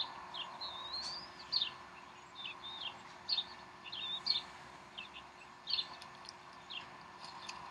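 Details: During an afternoon feeding at the Decorah bald eagle nest on 12 April 2012, 3:10 pm Central Time, high thin chirps and a drawn-out wavering whistle sound in scattered clusters above a faint hum.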